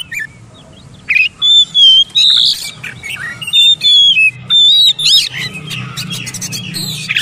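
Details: Training playback of oriental magpie-robin song meant to get mute, reluctant birds singing: bright whistled notes in short separated bursts, several steady pure tones and a few chirps, over a soft low background hum.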